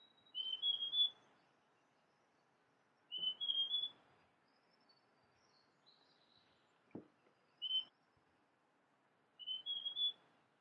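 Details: Large niltava song, a repeated phrase of three or four bright whistled notes climbing slightly in pitch, given about every two to three seconds, once shortened to a single note, with faint high chips from other birds and one brief knock.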